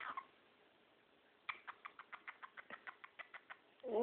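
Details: A male cockatiel, after a day of moving, gives a rapid run of repeated, laugh-like syllables, like a human chuckle, laughing at himself.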